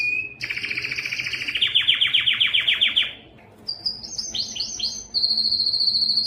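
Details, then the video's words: Singing yellow canary: a short high note, a loud fast rolling trill of rapid descending pulses, a brief pause, then quick chirpy upswept notes and a thin sustained whistle. "yellow canary singing"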